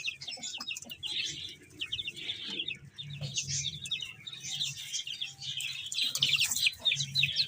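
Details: Young chicks eat and play while a crowd of them peeps steadily in short, high, bright chirps, with low scratching and pecking noises below.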